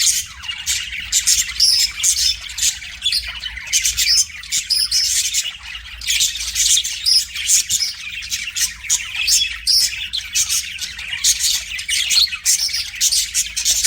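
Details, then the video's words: Budgerigar kept as a pet sings at its mirror, a long run of fast buzzy chatter and squawky chirps pouring out nonstop with little pause, lively and harsh throughout. "BUDGIE SINGING TO MIRROR"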